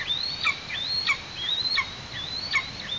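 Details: Nestling eastern imperial eagle in Tatarstan, mid-August, while parents deliver food: four or five shrill, rising whistles in quick succession, each ending in an abrupt downward flick, against faint outdoor noise.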